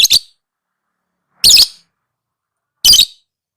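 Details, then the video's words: Lovebird, a masteran recording for training lovebirds: three loud rasping shrieks, the first a quick doubled note, the others single and buzzy, about one and a half seconds apart, with nothing else audible. "Suara Burung LoveBird~for~ Masteran(biar gacor)"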